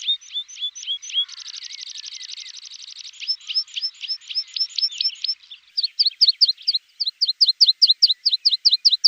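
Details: Tutor recording of a Javan bush lark for cage-bird training: repeated downslurred chips broken by a long, fast buzzy trill lasting almost two seconds, then more rapid chip series, slightly irregular in pace.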